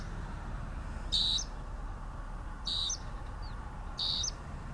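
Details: Southern grey shrike song: three short, harsh, buzzy notes with a bright whistled edge, spaced about every one and a half seconds over a steady low hum.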